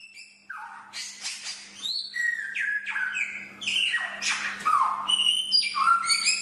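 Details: Chinese hwamei song used as a training master: loud, varied whistled phrases sliding down and up, with rich harmonics, delivered in quick succession, with a steady faint low hum underneath.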